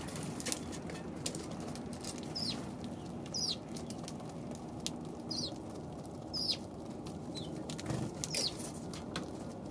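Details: Eurasian tree sparrows on December 29, a flock described as lively near the year's end; short high chirps repeat about once a second over a steady low rumbling background with scattered clicks and patter.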